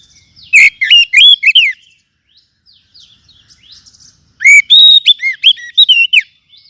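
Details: Lure recording of Oriental magpie-robin song to lift the spirits of caged birds. A brisk run of loud whistles, then soft scratchy twitters, then a second fast sequence of clear rising and falling notes.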